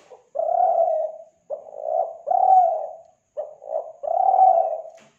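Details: Spotted dove call from Kelantan, played to lure doves: low mellow coos in repeated phrases, each a short clipped note or two followed by a drawn-out steady coo, with silent gaps between.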